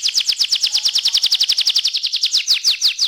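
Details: Young canary singing steadily: a fast, even trill of bright, sweeping notes repeated about three times per second, high and clear throughout, with no other sounds.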